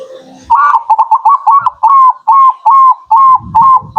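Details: Local zebra dove song played as a lure to attract birds: a fast run of short, clipped coos, each note slightly rising then falling, about nine notes in three and a half seconds, the later notes longer and evenly spaced.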